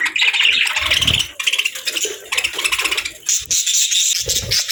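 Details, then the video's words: Rapid budgerigar chatter: squeaky, buzzy chirps tumbling over one another in a continuous high warble, with faint low knocks in the background. "Soft Birds Chirping Sounds 🕊️🎶 | Relaxing & Soothing Budgie Sounds"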